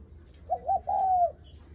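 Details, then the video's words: A single visitor-greeting coo from a spotted dove: two short low hoots then a sustained smooth note with a soft downward fall at the end. Quiet background hum. "Tiếng Chim Cu gáy khách có khách đến nhà là gù cực chất cu gáy chào khách"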